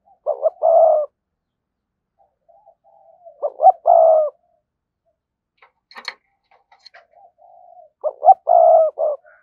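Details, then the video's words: Spotted dove voice used to draw in wild doves, repeating its phrase three times, each two short notes then a long rough coo and a clipped ending, separated by gaps with a few faint murmurs and clicks. "cu gáy kích bổi hiệu quả/ giọng nhạy bổi nhất hiện nay"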